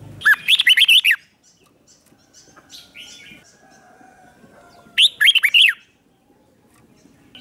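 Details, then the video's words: Lure red-whiskered bulbul used to attract wild birds, singing two crisp phrases of six or seven rapid up-down whistled notes about four seconds apart, with near silence and faint chirps between. "Chào mào mồi gọi bổi không tạp âm, tiếng chào mào mồi gọi là đến"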